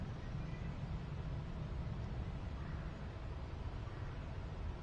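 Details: Low wind and engine-like rumble fill a hunting outing, with no turkey or other animal calls heard.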